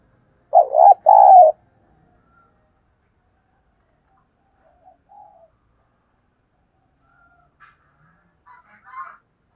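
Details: Spotted dove cooing as a lure to stir wild doves into calling: a loud two-part burst of low, throaty coos early on, followed by long near-silence with a few faint, distant chirps and soft notes.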